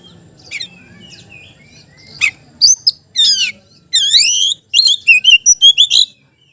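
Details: Magpie-robin challenging a rival with its song: soft warbles building into loud chips, a long upslurred whistle, then a fast series of sharp repeated notes about five per second.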